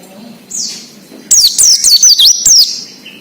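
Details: Oriental white-eye singing 'ngalas' wild-style song to prompt raw captive birds: a soft slurred note, then a loud, quick string of about six high zigzagging whistles, ending with a faint chirp.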